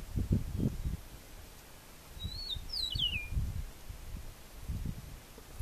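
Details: An Eastern Meadowlark in Barinas, Venezuela gives a short run of clear, slurred whistles that slide downward, heard faintly over heavy low wind rumble.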